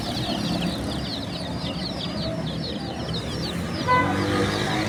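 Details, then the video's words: Chorus of many baby chickens: rapid, high, downslurred peeps tumbling over one another, over a low background rumble, with a brief steady electronic-like tone near the end. "The Chirping Sounds of Cute and Funny Baby Chickens"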